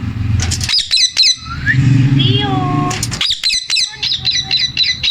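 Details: A male Indian ringneck (rose-ringed parakeet) talks amid music, chattering in quick, high, clipped syllables and mimicked word-like phrases, with low rumbling traffic behind.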